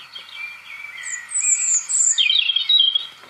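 A European robin sings thin, high, liquid phrases that shift in pitch, tumbling between sweet warbles and sharp, thin trills over faint background hiss.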